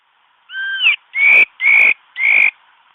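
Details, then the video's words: Lure song of a mi đất bird used for trapping: one doubled, level whistle followed by three strong, drawn-out whistles rising slightly, evenly spaced over two seconds. "mi đất hót bẫy"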